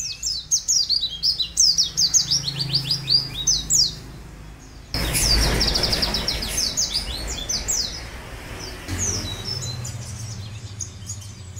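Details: Long canary song used as a master recording for training birds: very high, rapid trills of thin, sliding notes in fast bursts, interrupted by a loud hissing noise and a low background hum.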